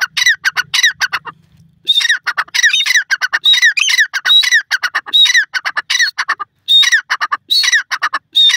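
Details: Grey francolin calling: harsh, squawky phrases, each opening with a short whistled note and falling into a run of clipped notes, repeated roughly every second after a brief pause early on.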